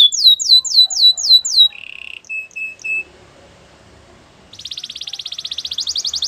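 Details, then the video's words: Singing canary in a training song: quick descending whistled notes, then short buzzy trills and clipped repeated tones, a pause, and a rapid rhythmic high trill to the end. "Canary's training song"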